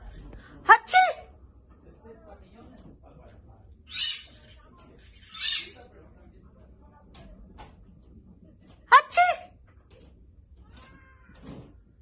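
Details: Pet bird kept indoors copying a person's sneeze: squawky harmonic chirps, then two short hissing, sneeze-like bursts a second and a half apart, followed by more chirped notes and faint room noise.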